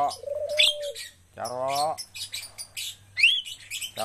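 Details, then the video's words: Javan myna being trained for eager singing delivers a steady flat whistle, grating chatter, a nasal rising honk-like note and a quick upslurred whistle, loud and close against a faint low hum. "melatih jalak kebo agar cepat gacor"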